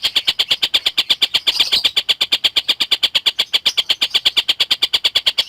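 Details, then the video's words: Actively singing collared kingfisher, used to tutor lovebirds: rapid, even string of sharp, rasping notes, about three per second, held at one high pitch with a brief louder scratchy burst midway. "Burung Tengkek Buto Gacor"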